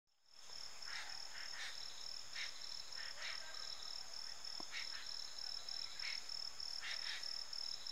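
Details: Jungle babbler, possibly a juvenile, giving harsh, rasping squawks in short irregular bursts over a steady high pulsing insect buzz.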